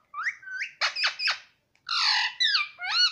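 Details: Talking pet parrot that says papa and mummy, here giving short upslurred whistles, three harsh rasping squawks, then a broad hoarse call and a final rising-falling note, all in a quiet room.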